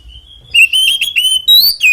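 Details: Oriental magpie-robin fighting song, used to provoke other magpie-robins into singing. After a short quiet start, clear whistled notes, some sliding down, follow each other quickly and loudly in a varied phrase.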